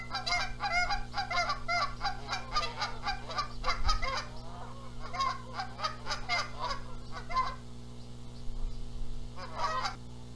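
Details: Canada geese at a nest in Charlo, Montana, on April 14, 2022, squabble over who sits on the eggs while the male flies in calling: rapid, harsh nasal honks in dense bursts for about eight seconds, then a final short volley, over a low hum.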